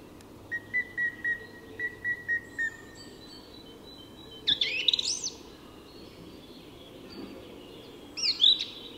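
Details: In Tyresta National Park, Sweden, at dawn, a song thrush repeats a clear short whistled note about eight times in a steady series, then switches to two louder, warbling, squeaky phrases.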